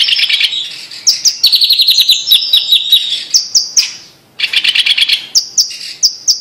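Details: Blue-masked leafbird singing, a leafbird endemic to humid montane forest on the Indonesian island of Sumatra: bright, high, rapid chattering phrases with fast trills and sharp repeated notes, pausing briefly before another burst.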